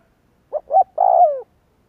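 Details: Single spotted dove coo phrase from a lure meant to provoke cooing: two short hoots then a longer, smooth note that glides lower before stopping.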